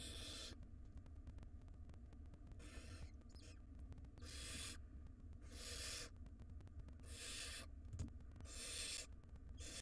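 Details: Wild barn owl nestlings begging while their mother feeds them in a nest box; repeated harsh snore-like hisses roughly every one to one and a half seconds across ten seconds, with a continuous low hum.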